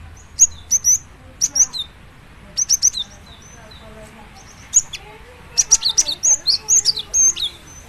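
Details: Java sparrow delivering song intended to get other Java sparrows singing: repeated paired high clicks and whistles early on, then a quicker, busier run of bright chirps and trills toward the end.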